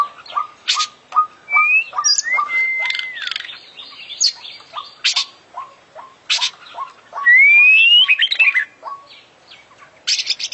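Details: Champion oriental magpie-robin in vigorous 'gacor' song full of 'isian' phrases: quick low notes repeated almost three times a second, long sliding whistles, a loud rising whistle and buzzy chirp bursts.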